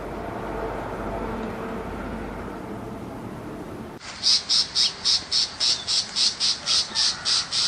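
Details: Tiger shrike in the countryside. Loud broadband rushing noise fills the first half, then a rapid series of harsh, scratchy notes repeats about four times a second.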